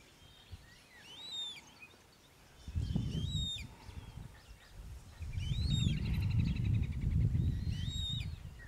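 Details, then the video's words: In the La Mancha wetlands of Tablas de Daimiel and Villarrubia, Spain, a Eurasian coot utters high, arching whistled calls in short clusters, partly overlaid by a loud low rumbling noise in the second half. "focha común"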